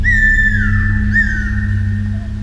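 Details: Cuckoo-roller in the rainforest of Madagascar giving two clear, drawn-out whistles about a second apart, each sliding downward, over a steady low musical drone.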